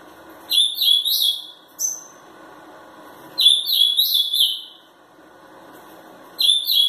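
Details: Ultramarine grosbeak (azulão), a three-year-old bird from Pelotas, Rio Grande do Sul, Brazil, described as angry and shown at its first song contest round; loud bursts of sweet whistled notes with harmonics, repeated phrases about every three seconds, faint background hum.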